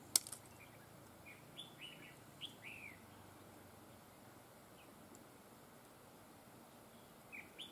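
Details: A red-whiskered bulbul kept as a trapping decoy sings its double linked style: a loud click, then a string of thin whistled notes and falling slurs spread over several seconds, with a final pair of whistles near the end.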